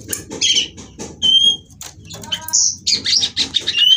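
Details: Female white-rumped shama, captive-bred in Cirebon, played to stimulate singing: broken bursts of harsh chatter between clear high whistles and a few sliding notes, over faint low background hum.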